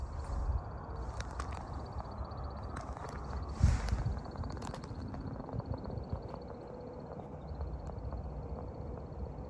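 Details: American woodcock in its spring display flight near dusk: a thin, high, steady twittering of the wings runs almost throughout, with scattered clicks and a strong low rumble of wind or distant noise below.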